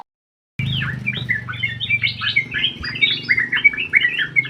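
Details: Sooty-headed bulbul in full song inside an aviary, delivering a lively run of rapid bubbling whistles and chirps after a brief silence, over a low steady hum.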